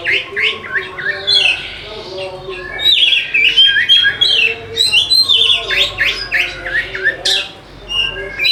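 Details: Oriental magpie-robin song to trigger singing in lazy birds: energetic, fast varied phrases mixing clear whistles, chirps and scratchy notes, about three per second, with brief pauses.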